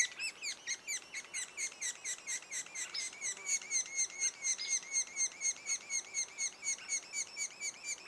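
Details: Sapsuckers at their nest two days before the first fledging give insistent, regular down-slurred chirps near twice per second, growing louder midway.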